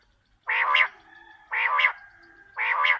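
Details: Quail call used as a lure for catching quail: three nasal, harmonic notes, each about half a second long, repeated roughly once a second over a quiet background.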